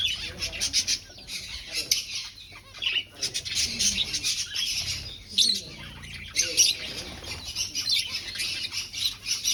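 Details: Aviary finches looking for a nest during breeding keep up a dense chatter of high, short chirps and squeaky notes, several birds calling over one another with no pause.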